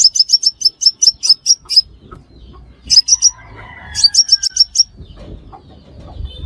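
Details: A five-coloured sunbird call used as a trapping lure: a burst of quick, high, piercing chirps, then silence, followed by two more short bursts of the same sharp notes over faint background rumble.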